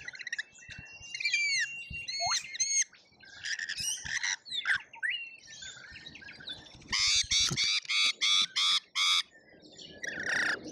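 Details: A chaotic lorikeet feeding frenzy at a feeder in Australia, feeder camera: mixed whistles and chatter give way to a fast series of loud grating screeches, about seven in a row.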